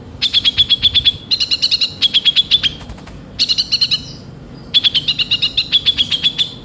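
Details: A kolibri ninja sunbird, used as a lure call and described as chatty with full rough fill, sings bursts of sharp, high chips, about eight a second, in runs of up to a second and a half with short pauses between.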